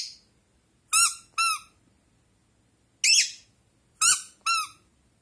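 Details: Pet Rosy-faced lovebird in a quiet room answering a toy duck. Pairs of clear harmonic toy squeaks alternate with one coarse, noisy chirp from the bird.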